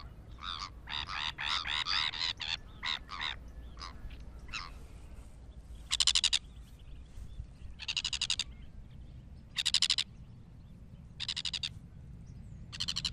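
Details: Sabine's gull giving quick bursts of pulsed, grating notes, first a rapid chattering cluster, then single harsh rasps every one to two seconds over a steady low background noise.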